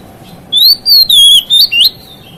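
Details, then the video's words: White-rumped shama song used to rile other shamas: five loud, fluid whistles sliding up and down, the last notes twisting sharply upward, heard above a faint steady hum. "KICAUAN KACER MEMICU EMOSI KACER LAIN"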